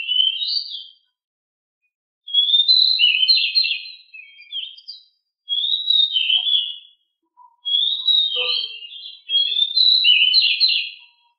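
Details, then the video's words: Master song of a home-kept pied bushchat (decu). Repeated bright, warbling whistled phrases, each about one to two seconds long, come in steady bursts separated by brief gaps. "decu rumahan gimana gak langsung gacor dengan masteran super ini"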